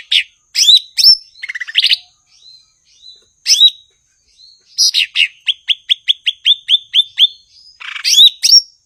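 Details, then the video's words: Blue-winged leafbird, locally cucak ijo, sings in full form: chattering and downslurred whistles, then a long even series of about ten sharp, repeated notes, closing with a buzzy flourish. "Burung gachor Cucak ijo/Ranting"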